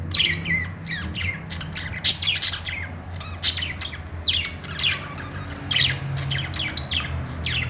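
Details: Pet budgerigars making happy chirping sounds: a steady stream of short, scratchy chirps and squawks, several per second, with occasional louder harsh notes and a low steady hum underneath.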